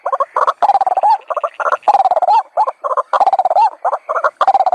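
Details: White-breasted waterhen lure sound meant to attract waterhens: dense, overlapping bursts of harsh, nasal croaking notes with short rising whoops, delivered in rapid, irregular clusters.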